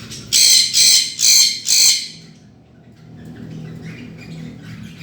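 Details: Budgerigar, said to be mating with a cockatiel, gives four harsh, scratchy squawks in quick succession, then soft background rustling.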